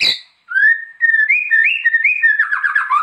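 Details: White-rumped shama master song for training: a pure sustained whistle stepping up and down in pitch, then breaking into rapid warbled notes.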